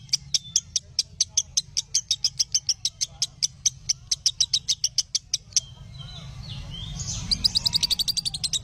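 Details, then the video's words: Lovebird chirps from a tutoring recording for other lovebirds: an even train of crisp clicking chirps over a low hum, fading into softer twittering and rising background noise. "Masteran Ampuh Burung Love Bird"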